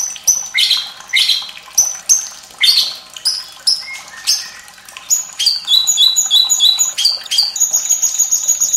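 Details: White-rumped shama tutor song with trickling water for young and reluctant singers: loud varied whistled and downslurred phrases, then a run of repeated swooping notes and a fast high trill at the end.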